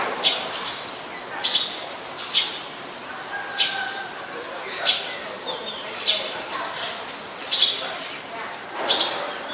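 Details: Eurasian tree sparrow (Passer montanus), a very common resident, recorded in Ubon Ratchathani, Thailand, on 10 May 2020: short, bright, harsh chirps given singly or in pairs roughly every second, about eight in all, over faint background hiss.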